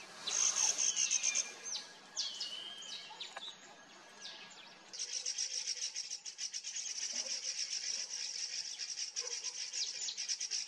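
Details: Mountain bulbul (Ixos mcclellandii), one of a pair at Motidhar near Mussoorie, Uttarakhand, giving high, thin chirps and short whistled notes for about four seconds, then a steady buzzy pulsing of about four beats a second.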